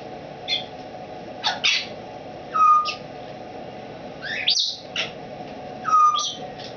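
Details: Captive female Timneh African grey parrot, over 20 years old and formerly a wild-caught breeder, newly rehomed and finding her voice in a curtained cage; scattered harsh squawks and short clear whistles, one falling, over steady indoor hum.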